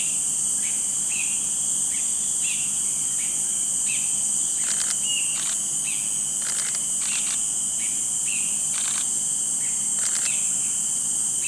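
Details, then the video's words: Talkative Cinereous (Ashy) Bulbul calling without pause in Singapore, where it is a rare non-breeding visitor, with its partner faintly heard at times. Brief slurred notes repeat at short intervals, with a few sharp clicks, over constant high insect buzzing. "Bird Call: CINEREOUS BULBUL"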